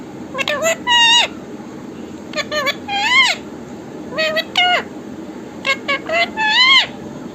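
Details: Talking parrot kept as a pet, repeating the phrase "Mithu Radhe Radhe" in shrill, strained, voice-like syllables. Short bursts of two to four rising-and-falling notes come every second or so throughout.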